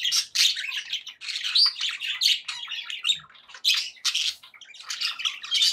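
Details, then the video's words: Happy pet budgies chattering continuously, a dense stream of scratchy warbles, clicks and short whistled chirps coming in irregular bursts with barely any pause. "happy budgie sounds"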